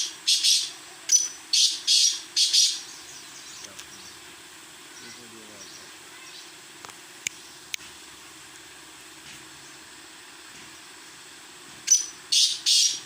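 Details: Black francolin giving a grating, buzzy phrase of four harsh notes, then a long quiet stretch with faint murmuring and a few clicks before the rasping notes return at the end.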